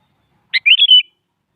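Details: A single sooty-headed bulbul phrase given in the morning as a challenge to a rival: a sharp opening note followed by a liquid, slurred, whistled run of three notes, with nothing else audible.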